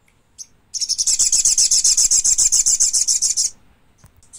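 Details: High, thin chattering of a thick-billed spiderhunter, a fast even train of roughly twenty-five sharp notes over nearly three seconds, preceded by a brief faint note and followed by a short squeak.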